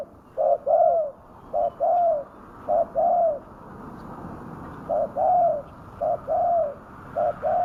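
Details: Spotted dove calling as a lure for wild doves outdoors; brief low coos in pairs, a short note then a slightly longer one, in groups separated by pauses over a hissy background.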